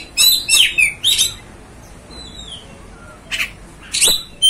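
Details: Kacer, or Oriental magpie-robin, song meant to rouse other kacer: three quick bursts of shrill slurred whistles and rasping high notes, a quiet gap with faint whistles, then two short explosive phrases.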